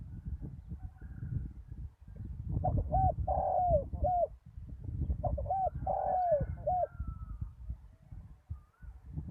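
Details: Decoy spotted dove on bare ground, recorded after a storm, delivers two cooing phrases about three seconds apart. Each has looped short coos framing a drawn-out descending note. A dull low-frequency rumble continues underneath.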